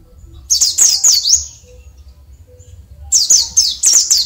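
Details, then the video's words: Oriental white-eye of the Bali type singing naturally, without doping, in the early morning during the dewing: two bursts of very high, rapid twittering with quick downslurred notes, each about a second long, over a faint low hum. "Pleci Dakun Bali Ngalas Alami"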